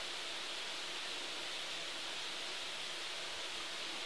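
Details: Constant rushing hiss like flowing water or wind fills the recording, with no pheasant or other animal call.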